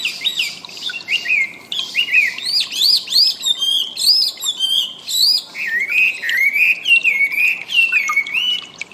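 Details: Wambi birdsong used to train cage birds: bright arching whistled notes in quick succession, followed by wavering, descending warbles that run on steadily.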